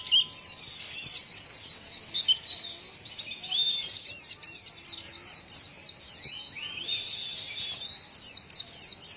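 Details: Strange-sounding white-eye vocalising in a rapid, unbroken stream of high, thin chirps and slurred whistles, rhythmic pulses of twittering repeating through the clip, a brief lower whistle near seven seconds, background otherwise quiet.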